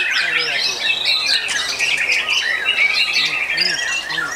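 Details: Caged white-rumped shamas (murai batu) at a singing contest in Ngawi, Indonesia, where the featured bird placed second in its class: dense, fast, varied whistled and chattering phrases from several birds overlapping without pause.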